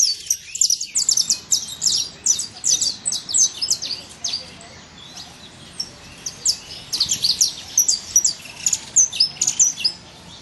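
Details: Saffron finch singing free in nature: rapid high chirps grouped in bursts, a quieter gap midway, then a fresh series of sharp tweets to the end.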